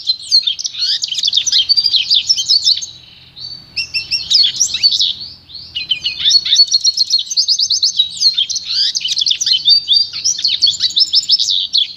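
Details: Goldfinch × canary hybrid (pintagol) singing its pure song for training: bursts of fast, tinkling twitters and buzzy trills, with a short quieter break near the three-second mark before the warbling resumes.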